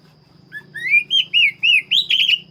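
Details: Black-breasted Oriental magpie-robin in lively song: a rising whistled lead-in, then five or six bright, looping whistled notes in rapid rhythm, the last ones slightly buzzy.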